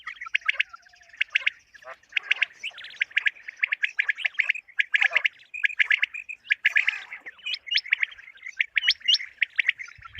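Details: Common quail calling, used as a lure for morning quail hunting: dense runs of sharp, liquid high-pitched chirps, many quick notes packed together, with no other clear sounds.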